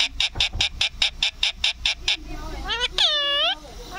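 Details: Green parrot talking: about a dozen rapid, evenly spaced raspy chirps, then a drawn-out nasal squawk rich in overtones with a wavering pitch. Faint music sits in the background.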